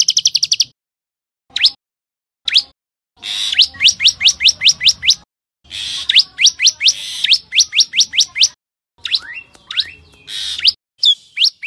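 A common tailorbird gives loud, sharp, rising chirps in fast runs of about two per second, with short pauses between bursts.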